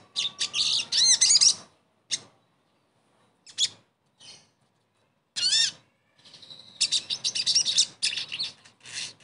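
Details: Crested jay song meant to stimulate a silent bird into singing again. Bright, high chattering and chirping bursts separated by silent gaps, with quick rising and falling whistled notes and a dense trilled phrase near the end.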